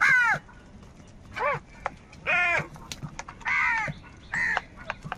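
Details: Crows fighting for food utter separate harsh, arched caws roughly once a second, varying in loudness, against quiet background noise.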